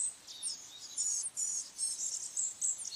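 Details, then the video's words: Blue-gray Gnatcatcher (Polioptila caerulea) singing a thin, very high, wheezy jumble of squeaky notes in quick bursts, with a faint background hiss. "Gnatcatcher bird call / song / sound | Blue-gray"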